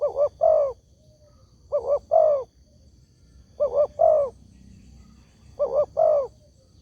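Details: Lure call of a spotted dove meant to draw replies from other doves: a short double coo then a longer wavering coo, the three-note phrase given four times at a steady pace, with a faint low rumble beneath.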